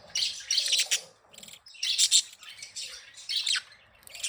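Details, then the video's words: Budgerigars, happy and at play, chirp and warble in three or four quick bursts of high, scratchy notes with brief pauses between them. "10 Minutes of Happy & Playing Beautiful Budgies sounds"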